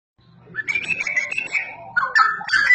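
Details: Straw-headed bulbul singing loudly and actively: rich, warbling whistled phrases sliding between mid and high pitches, with a low steady hum underneath.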